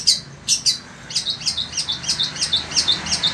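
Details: Sembur-type long-tailed shrike, caged in Indonesia, in nonstop song on a scorching day: three sharp chips, then a rapid rolling chatter of squeaky high notes, several each second.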